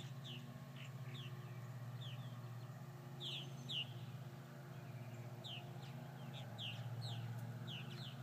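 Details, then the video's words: After several hawk attacks, purple martins give scattered brief chirps, spaced irregularly, some brighter downslurred notes in the middle, over a steady low hum. "Purple Martins after several hawk attacks"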